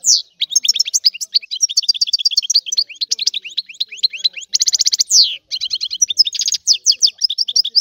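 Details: Sicilian European goldfinch giving a long rare 'antique' song: continuous high twittering, rapid rattling trills and a sweeping downward slur, chattering on for nearly eight seconds.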